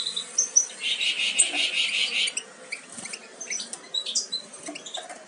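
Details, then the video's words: European goldfinch young about to leave the nest give a rapid buzzy, rattling call lasting over a second, then sparse high chirps and short whistled notes. "Jilgueros casi listos para saltar del nido"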